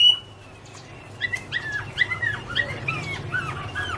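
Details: Chinese hwamei, 2017: a thin high whistle, a short pause, then a soft run of downslurred whistled notes, quieter and more spaced out, over a faint low hum.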